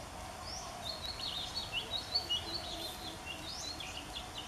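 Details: Oriental Magpie Robin singing its love song at a nature study centre of Mahasarakham University, Mahasarakham province, Thailand, 8 February 2014: thin high whistled phrases, rising and falling notes in quick varied sequence over steady background hiss.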